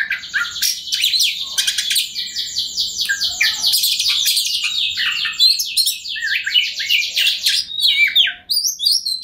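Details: Kacer, or Oriental magpie-robin, singing nonstop with ngobra display to draw a rival into song: dense fast chattering runs mixed with sharp whistles and buzzy notes, continuous for many seconds.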